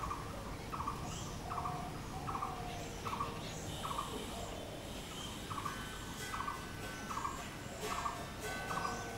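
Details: Blue-throated barbet calling, known locally as bosonto bouri: a steady series of short, hollow notes repeated roughly once a second in a regular rhythm, with thin higher chirps from other birds and a constant low background hum.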